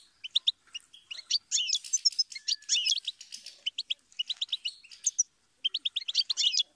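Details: Goldfinch singing a fast, twittering run of short high notes, bright trills and buzzy slurred phrases, with a brief pause before a final burst of chirps; no other sounds.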